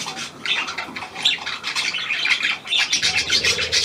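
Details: New hand-tame Australian pied budgerigar, recorded 17 February 2023, giving a dense, scratchy warble of fast chirps and squawky notes, continuous and busy throughout, in a small room.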